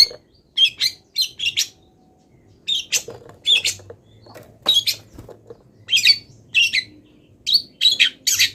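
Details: Moulting long-tailed shrike in loud song packed with imitated wild-bird notes: grating bursts in clusters, a silent gap of about a second, then denser chatter with some softer low notes, over a light hum.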